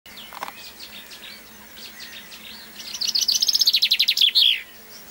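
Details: Common chaffinch singing at a nature reserve on 22 May, hand-held recording: soft scattered chirps, then a loud fast descending trill of about twenty notes ending in a brief flourish.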